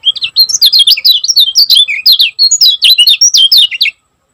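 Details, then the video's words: Fast, tightly packed song of a Lombok lemon-bellied white-eye, kecial kuning gacor style: loud high twittering notes tumble without pause for about four seconds, rising and falling quickly, then stop abruptly. "Kecial Kuning Gacor Speed Rapat Buat Masteran Ampuh || Suara Burung Kecial Kuning Lombok Juara"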